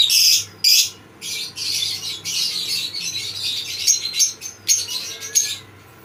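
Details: Lovebirds kept in pairs in a breeding colony, giving loud bursts of harsh, shrill squawks and chattering separated by brief pauses, with some thin whistled notes among the noisy calls.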